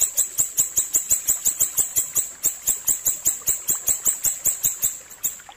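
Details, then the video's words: Ashy tailorbird singing a clear tutor song for songbird training, a fast, steady run of piercing high chips, roughly three or four per second, continuing throughout without pause. "masteran burung siri siri ampuh suara jernih"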